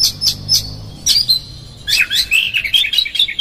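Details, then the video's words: Oriental magpie-robin song used to provoke a magpie-robin: a few sharp high notes, then a dense rapid stream of twittering and whistled notes, bright and high-pitched throughout. "PANCINGAN Kacer GACOR seketika Buka Ekor KONSLET bongkar ISIAN KASAR agar KACER emosi"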